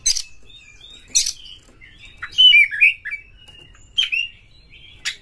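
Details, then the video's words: Oriental magpie-robin song used to prompt other birds to sing: sparse harsh clicks and rasps separated by pauses, with a few sweet slurred whistles in the middle and a thin sustained tone in the background. "suara PANCINGAN KACER GACOR"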